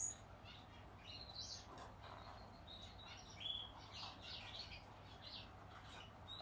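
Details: A yellow-backed Gouldian finch chick gives soft, thin, high chirps in quick scattered bursts while being hand-fed, over a low steady hum.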